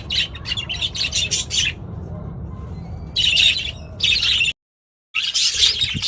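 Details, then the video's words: A flock of budgerigars in a loud chorus: clusters of rapid, harsh chattering and squawky chirps break off and restart, with a low hum underneath and a short silent gap. "เสียงนกหงษ์หยก นกหงษ์หยก ร้องชัดเสียงดังระงม ประสานเสียง"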